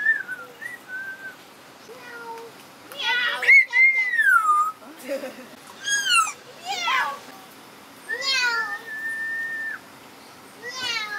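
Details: Parrot at the Jardin Botanique de Deshaies, Guadeloupe, imitating a cat's meow and whistling: clear sliding whistles, some held and falling, mixed with harsh, wavering meow-like calls in short bursts.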